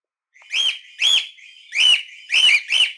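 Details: Cockatiel calling repeatedly, played to train and liven up other cockatiels: five harsh, arched, harmonic-rich squawks in three seconds, with short hissy pauses between them and no other sounds.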